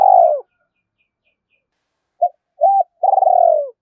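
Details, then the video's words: Morning call of a spotted dove answering a rival: a long quavering coo, a pause, two short coos, then another drawn-out trembling coo falling at the end. "Tiếng chim cu gáy thúc đấu với bổi buổi sáng"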